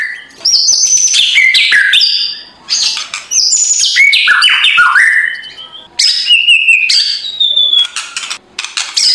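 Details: Loud, rough kretekan singing of a murai batu (white-rumped shama), used to stir a lazy bird in the morning: dense bursts of rattles mixed with high whistles and falling slurs, in several phrases with short gaps.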